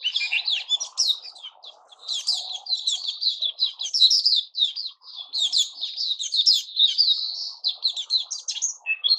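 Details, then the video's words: White-crowned shama (Puteh Raja) in its new-feather season, singing a continuous, varied stream of high whistled and chattering phrases with no pauses, over a faint lower murmur. "Puteh Raja season new feathers"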